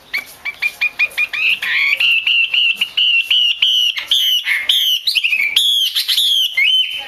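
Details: Female Chinese hwamei calling, used by keepers to stimulate male hwameis to sing: a fast series of short clipped notes opening into loud, sustained, slightly wavering whistled phrases with rapid upward slurs, repeated without pause.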